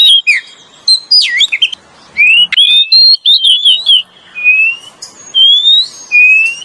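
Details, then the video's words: Lure song of Oriental magpie-robins, male and female: swooping whistles and quick chips at first, then a series of long, smoothly rising whistled notes separated by brief pauses. "SUARA BURUNG KACER PIKAT PALING JOS SUARA JANTAN DAN BETINA"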